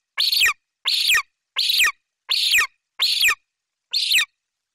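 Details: Golden eagle chick in Bucovina, July 2021, screaming as its mother brings prey, a Eurasian magpie. Six evenly spaced, hoarse, high screeches with a slight downward bend, each roughly a third of a second long and followed by a short pause.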